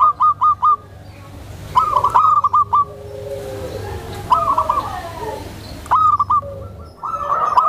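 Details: Calm, tame zebra dove, kept for luring other zebra doves and for therapy of new birds; scattered short phrases of three to five rapid coo notes with pauses between, over a faint low hum in the first half.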